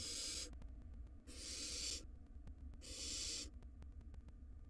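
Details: Wild barn owl chick in a nest box, gulping down a rodent. Three drawn-out hissing screeches come at an even pace, each about half a second long, with quieter rustling between them.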